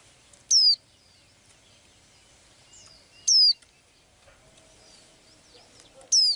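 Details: Small blue-eyed bird, a daily singer, repeating a loud, high, falling whistle three times about three seconds apart, with soft chirps and twitters between.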